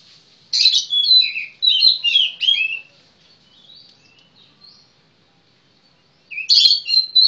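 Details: Fluent warbling from a kacer (magpie-robin): a string of quick, varied whistled phrases, a quiet gap with faint soft notes, then a loud, scratchy, rich phrase at the end.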